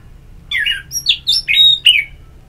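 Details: Orange-headed thrush giving ngeplong-style therapy song: short, loud, slurred whistles alternating between lower buzzy notes and higher clear tones, about five phrases in two seconds, without other noise.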